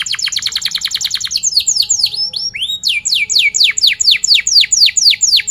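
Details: Canary song used to teach young canaries to sing: rapid trills of sharp descending notes, then sweeping whistles and a series of loud downslurred chirps repeated about twice a second.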